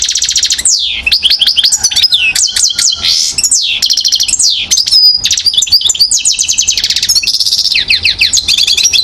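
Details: One-year-old European goldfinch in Mouzaia, Algeria, 2012, singing a continuous stream of falling slurred notes, quick repeated chips and buzzy rolling trills, all high-pitched and densely packed.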